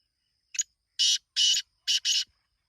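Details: Black francolin call: a short clipped note followed by four broad, harsh, scratchy notes, the final pair run close together.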